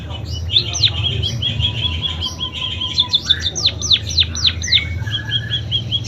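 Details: Munia singing a song filled with canary imitations: steady high buzzy chatter broken by sharp downward-sweeping whistled notes and a short low whistle, with a constant low hum underneath.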